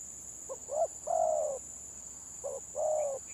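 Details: Two stuttered phrases of spotted dove 'gagap' song in a contest: quick broken coos leading into a long drawn coo, separated by a pause, over a constant high whine.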